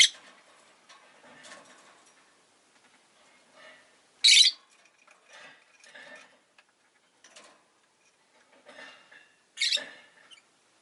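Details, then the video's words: Rosy-faced lovebird letting out two loud, harsh, noisy squawks several seconds apart amid softer chattering notes and light indoor background noise. "Lovebird Chirping Sounds"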